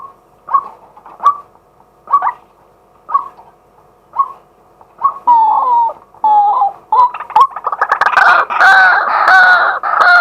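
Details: Male White-breasted waterhen recorded live by day on a fixed camera: spaced single croaks about once a second, then faster varied notes with a descending whine, building into loud, dense, rough calling.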